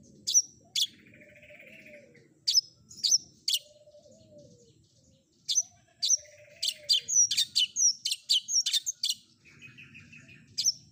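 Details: Long-tailed shrike combination fill-in song, meant to make any shrike answer: scattered high sharp whistles and clicks in bursts, a quick twittering run, and faint raspy notes between.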